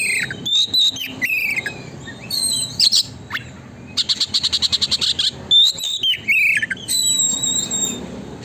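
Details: Nonstop Oriental magpie-robin song meant as a lure to make the bird fan its tail: bright whistled phrases, quick slurred chirps, and a burst of about a dozen rapid, evenly spaced clicks mid-clip.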